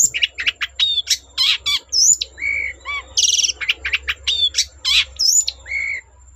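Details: Energetic long-tailed shrike song, played to coax other shrikes into singing: a varied medley of sharp high chirps, a few lower fluty whistles and a short buzzy rattle, delivered in quick separate bursts.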